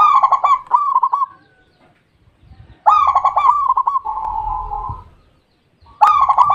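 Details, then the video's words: Local perkutut, the zebra dove of Indonesia, singing: crisp clipped opening notes run into a long even trilling coo, a pause, then the phrase starts again; background otherwise quiet apart from faint low rumble. "The sound of the super best local dove ,,,Burung perkutut lokal super nikmat di dengar"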